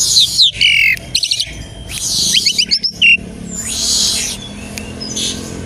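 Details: Asian pied starling song played as a lure to trigger other starlings' singing: opening burst of harsh chatter, rapid clicking notes and short whistles over three seconds, then a quieter raspy stretch.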